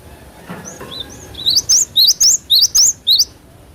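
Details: Cinereous tit song meant to prompt a fast response from cage birds: soft thin whistles opening into six loud, high rising two-part notes repeated about every third of a second.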